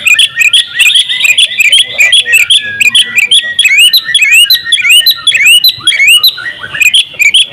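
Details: Champion kacer, the oriental magpie-robin, delivering a full isian song in open-beak ngobra style. Rapid rising whistles and clicks run back to back without pause, loud and busy, at high pitch.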